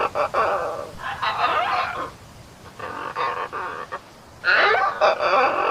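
Harsh, raspy macaw squawks come in bursts of half a second to a second, with brief pauses between, in a quiet indoor setting.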